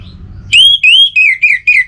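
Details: Short, loud phrase from an Orange-headed thrush: a long, slightly rising whistle followed by four shorter slurred notes at a similar, gradually falling pitch.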